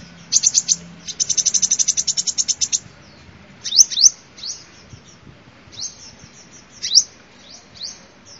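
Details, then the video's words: Sunbird song used for luring: a quick chattering trill of evenly spaced high notes, then scattered sharp, upward-sweeping chips at irregular intervals over a quiet background. "tiếng chim hút mật làm mồi chuẩn"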